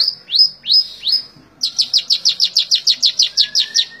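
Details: Cendet, the long-tailed shrike, in tembak ngebren style: four loud down-slurred notes, a brief pause, then a rapid even series of about fifteen sharp high notes with a faint whistle underneath.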